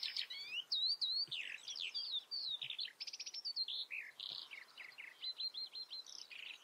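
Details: Common redstart song recorded in the Eifel, Germany: a fast, varied run of high whistles, buzzy notes and rapid trills, with clear repeated phrases and brief pauses, sounding bright and tinkling.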